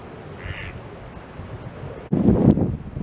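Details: A mallard in a heavy winter snowstorm, ducks on ice, lets out a loud, harsh, nasal quack burst about two seconds in, after a quiet stretch of low wind rumble.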